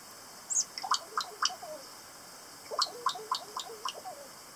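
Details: Kakas, local parrots of Stewart Island, south of New Zealand's South Island, make two bursts of rough, gargling calls, each with five or six quick harsh notes and a brief quiet spell between.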